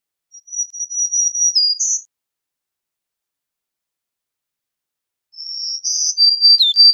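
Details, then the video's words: Two songs from a black-throated green warbler, a few seconds apart. Each is a thin high buzz that drops briefly and ends on a higher note. The second has a few extra sharp chips at the end. "Black-throated Green Warbler Song! Call! Voice! Singing - Reinita Dorsivede Canto!"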